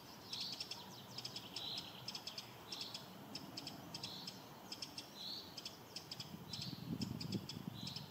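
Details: Eurasian wren alarm in spring: faint, rapid dry ticking in short bursts, repeated throughout against a steady hiss of background noise, with soft blurred higher notes between the bursts.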